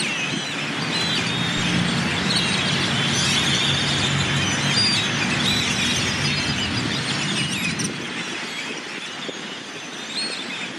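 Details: Murmuration of yellow-headed blackbirds arriving in the evening at their winter roost in a town plaza in Delicias, Chihuahua, Mexico, January 2017; continuous wall of shrill squeals and chatter from countless birds, steady low hum of vehicles underneath.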